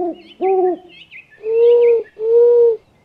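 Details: Owl voice: two short low hoots, then two longer, steadier, slightly higher drawn-out tones. Small birds twitter faintly and high overhead.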